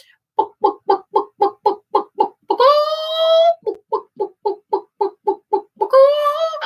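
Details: A hen's egg-laying call, which the owner says signals fresh eggs after the hens stopped laying over winter: quick clucks about four a second, each run ending in a long, drawn-out, nasal squawk, then the clucking starts again.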